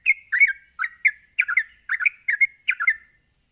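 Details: Sooty-headed bulbul giving its rapid ropelan song, meant to provoke other bulbuls into answering: bubbly, chattering two-note phrases that rise and fall, repeated about every half second over a steady high hiss.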